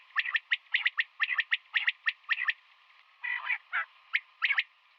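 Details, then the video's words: Female common quail calling in the morning: quick runs of dry, sharp clicking notes in pairs and triplets, a short harsh buzzy burst midway, then more clicks, with a faint steady hum behind. "Batair Ki Awaz |Female Quail sounds | Common quail Calling in Morning"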